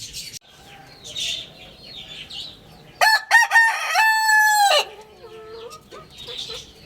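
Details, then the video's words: Rooster crowing from about three to nearly five seconds, a loud harmonic cock-a-doodle-doo with a stuttering start and a long held final note, between stretches of faint background chirping from small birds. "Roosters Crowing Compilation | Rooster Crowing Sound Effect | Good Morning"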